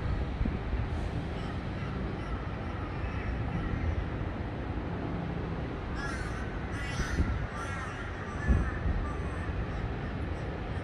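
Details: A crow giving a short burst of harsh, raspy caws, three or four in quick succession, partway through; a steady low rumble of engine or traffic noise runs underneath throughout.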